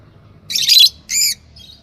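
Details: Fischer's lovebird pair, yellow birds, making two loud harsh screeching squawks, the first longer and noisier, the second more tonal.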